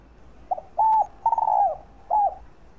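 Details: Spotted dove coo, used to lure and stimulate other doves: a soft double lead-in, a flat coo, a long pulsing falling coo and a final short arched note.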